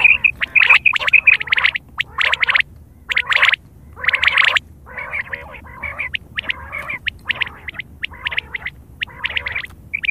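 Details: A Common quail (Coturnix coturnix) on the morning of 20 February 2024 gives bursts of sharp, high whistled notes in quick, uneven runs, with rougher chattering notes between them; laughter is heard nearby.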